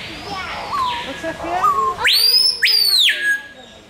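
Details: Screaming piha in a zoo enclosure at Burger's Zoo, Arnhem, Netherlands, calling up close: two very loud whistled notes sweeping sharply upward then falling, with softer rising whistles and a low hum before them.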